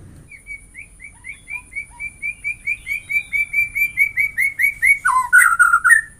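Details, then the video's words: White-rumped shama song that opens with a steady series of short whistled notes repeated about four per second, growing louder, then breaks into a rich burst of varied warbling phrases. "Semua jenis murai batu bakal gacor dengan suara ini"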